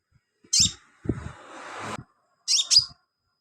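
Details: Sunbird singing actively, kept as filler song for training other birds: two bursts of sharp, high, buzzy chirps, with a low rustling noise between them.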